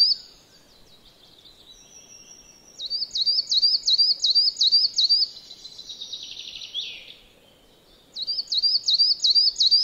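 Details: Coal tit near a house yard in Joroinen, Finland: faint thin notes, then a run of high rhythmic repeated chirps, a soft buzzy passage, and another quick series of about five high notes.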